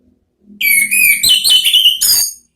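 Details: Ngeplong song from an orange-headed thrush, a therapy recording to prompt answering: loud, fluty warbled whistles flowing without break for nearly two seconds, slurred notes rising and dipping, with a faint low hum beneath.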